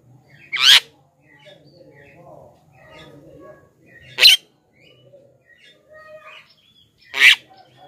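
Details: Lure call of a Javan myna for wild birds: three loud grating squawks about three seconds apart over faint low background noise.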